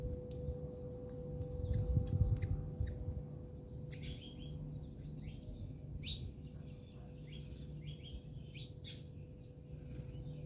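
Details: Fighting house sparrows in South Africa make rapid, uneven series of thin chirps and buzzy notes, denser in the second half, against a continuous low drone and mechanical hum.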